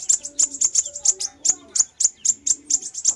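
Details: Fire-breasted sunbird lure recording: bright, very high chips in an uneven rhythm of quick pairs and single notes, over a faint low hum.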